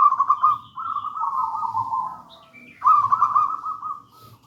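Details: Local wild zebra dove (perkutut) in the gedang rojo singing style, used as a lure and master song. It gives long, burbling mid-pitched coos lasting about two seconds, a brief pause, then another rolling coo, over a low background rumble.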